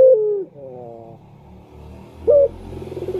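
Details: Turtle dove lure call for attracting males: a falling coo, a soft harmonic phrase, a short loud note, then rapid pulsing notes, with faint low rumble behind.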